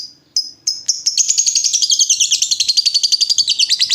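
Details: Singing lovebird used as a lure that prompts other lovebirds to reply: a few separate high chirps build into a rapid, continuous ngekek chatter, notes tumbling several times per second.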